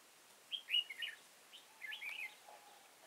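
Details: Red-whiskered bulbul fighting song at a trapping site in Kim Bôi, Hòa Bình, 6 April 2017; loud close bursts of rapid slurred, warbling notes in two phrases, with a faint low whistle underneath toward the end.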